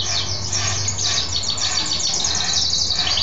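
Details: Goldfinch hybrid, a male mule kept as a pet, singing after his bath; dense, continuous high twitter of rapid chirps with a faint low hum beneath.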